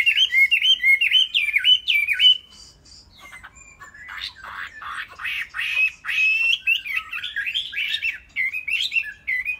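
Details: Caged Chinese hwamei opening with looping whistled phrases, pausing briefly, then continuing with harsher, scratchy notes mixed into a rambling warble.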